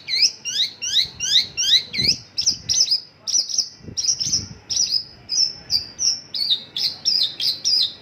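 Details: Mongolian lark singing isian lokalan: a rhythmic series of repeated high, sweeping chirps, roughly two per second, shifting midway to flatter, whistled notes in steady succession.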